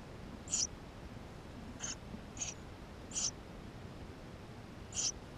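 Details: GoPro recording of Eurasian tree sparrow chicks inside the nest: five short, piercing high squeaks spaced about a second apart, uneven in loudness, over quiet background hiss.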